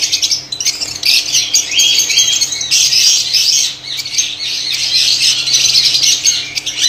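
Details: A Pakistani colony of white lovebirds producing a steady, dense din of high, scratchy chirps and squawks from many overlapping callers.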